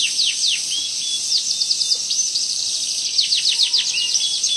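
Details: Tutor recording of a canary's long rolling song: continuous high, thin, fast-falling notes run together into a bright trill, with brief sustained whistles mixed in.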